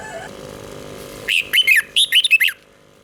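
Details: Red-whiskered bulbul in a cage in Thailand, southern master song used to stir birds: after a quiet start with faint hum, one quick phrase of about six bright whistled notes.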